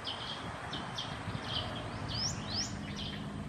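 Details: Black-headed bulbul recorded at Sa Phang, Khao Yoi, Phetchaburi, Thailand, on 6 and 9 December 2020: short bright chirps and quick upward-sweeping whistled notes repeated at irregular intervals over steady low background rumble.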